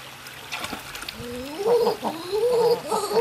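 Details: King eider in courtship display: a series of crooning, gargling coos that slide upward and waver, several overlapping rising phrases over about three seconds, with faint background murmur.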